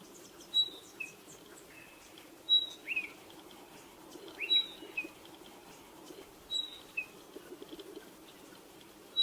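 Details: Spotted pardalote calling repeatedly, giving high, pure whistled notes that step downward in pairs or triplets. The phrases come about every two seconds over a steady soft outdoor hiss.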